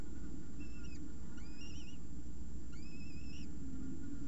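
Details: Unattended peregrine falcon chicks beside an egg in their nest at Orange, 28 September 2018: three drawn-out, high, wavering whistled cries, each under a second, over a constant deep background hum.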